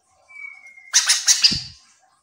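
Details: Chestnut-capped laughingthrush recording used as a lure to make other birds answer; a thin steady whistle, then a burst of harsh, scratchy chattering notes lasting about a second, with a low thump at the end.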